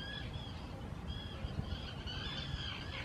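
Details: In spring 2018, Common terns on purpose-built nesting islands in Israel's Hula Nature Reserve give loud courtship calls while taking over favoured nest sites: drawn-out, slightly downslurred screechy calls, several overlapping, above a constant low background hum.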